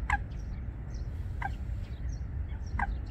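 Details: Eurasian coot pair building a nest among water plants at Wangsong Lake, South Korea: three short, sharp, dropping calls about 1.3 seconds apart, over a steady low rumble with faint high chirps.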